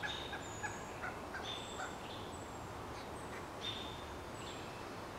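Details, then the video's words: Pileated woodpecker chicks, a day before fledging, calling from a nest about 25 feet up a dead snag, with a parent answering; short, clipped notes repeat irregularly over steady background hiss. "Pileated Woodpeckers Part I: Chicks Call & Parent Answers"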